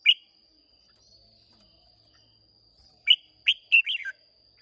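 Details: Red-whiskered bulbul of wild Hoà Bình stock, Vietnam, singing in a contest while caged: one loud chirp, a long pause, then a quick run of four bright warbled notes falling at the end.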